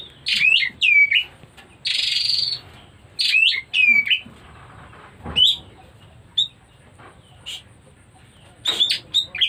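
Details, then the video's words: White-rumped shama coming into breeding condition, loud high whistled phrases with sharp downslurred notes and one harsh rasping burst, delivered in separate bursts over a low background hum. "Pertanda Burung Kacer Mulai Birahi"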